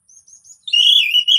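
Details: Orange-headed thrush song used as a lure to get silent birds singing: soft high thin notes, then a loud, slightly wavering whistled phrase with rich overtones, sung twice in quick succession.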